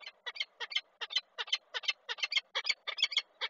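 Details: Female peregrine falcon screaming on a railing at a nest site with eggs in Koszalin, 20 April 2023; harsh, grating notes, often doubled, repeated about three per second in a steady, rapid series.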